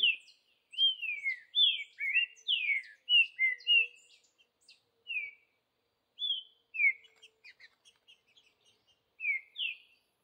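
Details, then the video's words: Green-winged saltator singing in the wild in the bush: clear slurred whistled phrases, mostly descending notes, delivered in bursts with short pauses between, plus a few faint high ticks. "Trinca ferro Vidigal no mato"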